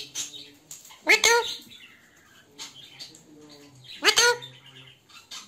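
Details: Talking parrot voicing "Mar mithu Mar" in Hindi or Urdu: two loud, raspy, harmonic bursts about three seconds apart, each a short slurred phrase. Quieter murmuring and faint chatter fill the gaps between them.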